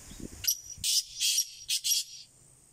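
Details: Black francolin calling a single rasping phrase: a sharp opening note followed by two drawn-out harsh syllables and a quick closing pair, over light low background noise.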